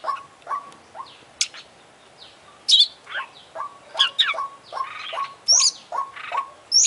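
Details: Oriental magpie-robin singing with beak and tail open, a full, vigorous song rich in mimicked phrases: short sweeping whistles and sharp high notes over a steady series of low, even notes repeated about twice a second.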